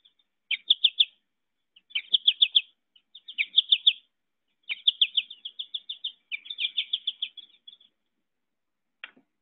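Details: American Goldfinch song, the one sung while flying in an up-curved undulating flight, with a phrase rendered as "potato chip": bursts of rapid high twittering notes in five groups, then a single chip at the end; clean recording.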